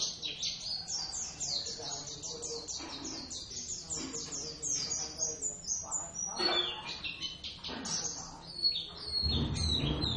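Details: Javan Oriental white-eye pair, Zosterops palpebrosus javanus, singing in their first duet, practising a lively ngeriwik song: rapid high, thin chirps and trills repeated densely throughout, with faint low background murmur and a voice near the end.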